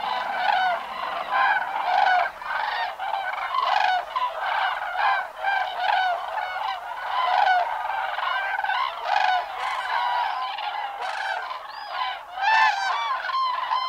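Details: Many cranes flying on migration keep up a pulsing chorus of bugling calls, short harmonic notes repeated about once or twice a second and overlapping from several birds.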